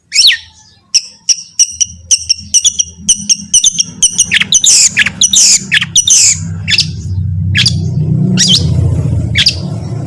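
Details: Long-tailed shrike song for prompting other shrikes: a string of sharp, evenly spaced clicking ticks builds into louder buzzy, squawking notes over a rising low rumble.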